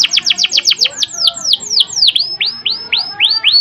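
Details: Canary song used for training: a quick series of sharp downward-sweeping notes that slow into longer rising whistled slurs, each repeated about every quarter second, bright and high-pitched.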